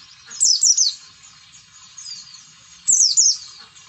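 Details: Oriental white-eye in standard 'ngalas' style, played to stir quiet, unmotivated white-eyes into song: two loud bursts of shrill, rapidly falling twittered notes about two and a half seconds apart, a soft thin whistle between.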